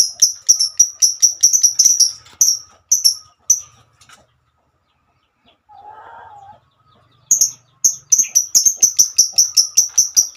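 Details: Female lovebird performing the long 'ngekek panjang' song, calling to companions: fast series of shrill high chirps, a pause with a brief low rasping sound, then the rapid piercing chirping resumes.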